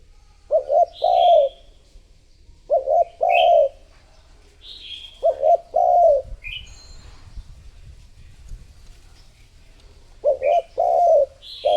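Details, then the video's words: Spotted dove calling as a lure for wild doves: four repeated phrases of two or three quick coos leading into a longer mellow coo, with scattered high twittering from other birds. "Cu gáy mồi thúc gù gọi bổi / Suara Burung Tekukur Gacor Terbaru 2026 Paling Ampuh Untuk Pancingan"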